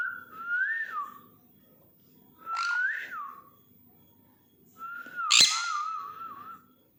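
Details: Sun conure calling in the morning, giving three clear whistled notes that rise then fall. One note is broken by a sharp, harsh screech, over a quiet indoor hum.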